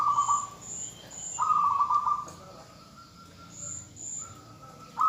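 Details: Female zebra dove calling to a male to prompt him to sing. Bursts of fast, throbbing coos at a steady pitch alternate with quieter stretches. Thin, high whistled notes come in pairs and threes in the background.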